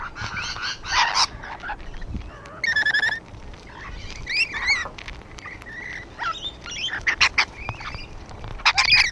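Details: Rainbow lorikeets gathered on a wall keep up busy, shrill chatter: short buzzy squawks and a few brief ringing notes scattered irregularly across the whole stretch.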